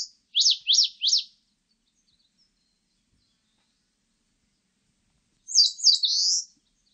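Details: Eastern crowned warbler singing, recorded in 2020: three quick, sharp high notes, then a pause and a fast buzzy high phrase. No other sounds are heard.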